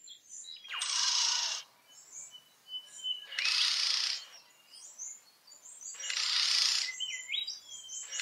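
Regent bowerbird giving three harsh, rasping bursts, each about a second long and spaced a few seconds apart, with thin whistled notes from other birds behind.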